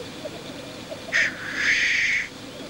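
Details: Black grouse cock at a courtship lek gives a harsh, sneezing hiss, one short burst then a longer drawn-out rushing hiss, over faint bubbling in the background.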